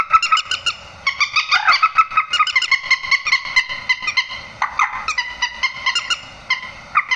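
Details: Grey-headed swamphen calls played to lure birds into nets at night: bursts of loud, nasal, harmonic squawks in rapid repeated series, with short pauses between bouts.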